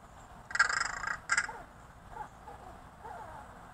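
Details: A neighbourhood crow fed from a fire escape, very friendly with its feeder, makes quiet chattering, rattling noises: two short rasping bursts near the start, then soft faint mutters in a quiet setting.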